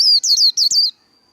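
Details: Japanese white-eye giving a brief líu phrase of four loud, high, downward-sliding whistled notes run closely together, ending in silence with a faint thin tone.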